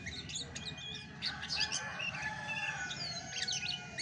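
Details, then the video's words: Natural chestnut-backed thrush song: bursts of rapid high chirps alternating with looping whistled notes, phrases coming in clusters, against a steady faint tone and low background noise. "SUARA ASLI ANIS MACAN TAPA MASTERAN"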